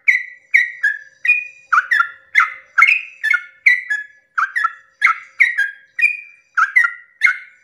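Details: Sooty-headed bulbul at dawn in long 'ropel' song style, meant to provoke other bulbuls into singing: a steady run of short, bubbly, slurred whistles, often paired, about two notes a second, with no other sounds.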